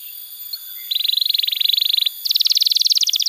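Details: Canary song for training young canaries and reviving silent singers: after a quiet start, a steady mid-pitched pulsing trill of about a second, a short pause, then a higher, faster rolling trill.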